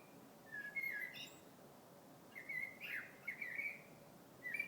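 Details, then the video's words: Songbird heard in February giving whistled, slightly warbling phrases, one early note then a cluster of three or four linked notes near the end, over low steady background noise. "Vogel singt."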